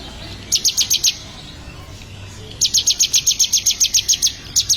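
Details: Ciblek, or bar-winged prinia, in song training: a short run of five high, dry chips, then after a gap a longer steady string of the same sharp notes, quick and even.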